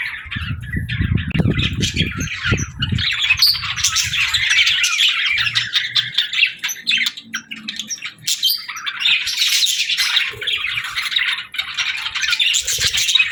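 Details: Caged pet budgerigars chatter in a busy stream of warbling chirps and squawks; low thumping handling noise fills the first three seconds, then the chorus swells again toward the end.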